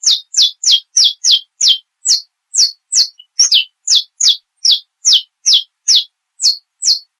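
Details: Saffron finch living free outside a cage, singing in the estalo and metralha style: a fast series of high, sharp, downslurred chip notes, about two to three per second, in a steady rapid-fire run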